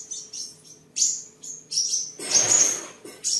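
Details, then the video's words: Caged seven-colour sunbird in Đồng Nai, Vietnam, 23 July 2022, singing while displaying and sparring: brief very high thin notes and trills in short bursts, interrupted by a loud rustling or flapping noise lasting under a second. "Chim Hút Mật 7 Màu Thuần Ngày 23/7/2022 Hót, Múa, Đấu Đá"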